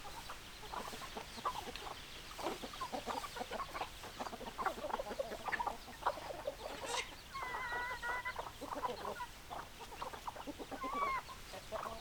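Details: Chickens clucking steadily, a dense mix of short, rough clucks from several birds, with occasional brief whining, tonal notes rising above the murmur.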